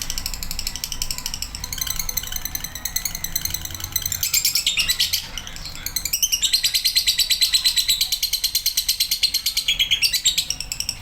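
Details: Male lovebird giving a long, rapid, high-pitched chattering song of buzzy repeated chirps, steady in places, with a brief pause near the middle before the fast trills resume more strongly; faint low background hum.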